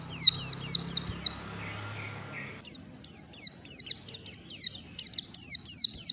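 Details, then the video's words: White-eye singing the ngalas song style in the morning: a rapid run of high, sharply downslurred chirps, a pause of about a second and a half, then a longer chattering burst of the same bright notes. "PLECI NGALAS DI PAGI HARI"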